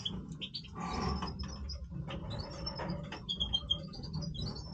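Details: Goldfinch of the Major type in breeding voice: scattered high, thin twitters building into a quicker run of bright whistled notes near the end, with low rustling background.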